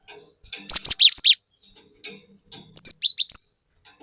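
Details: Cinereous tit singing eagerly with varied phrasing, used as a lure to excite other birds: a loud burst of sharp chirps, a short gap, then a clear high whistle followed by quick slurred notes.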